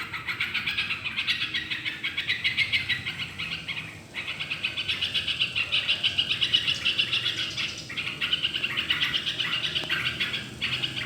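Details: Yellow-vented bulbul in lively song, played to prompt other birds to sing: dense, bubbly chatter of quick chirping notes, nearly continuous, with brief pauses near four and eight seconds and a faint low hum behind.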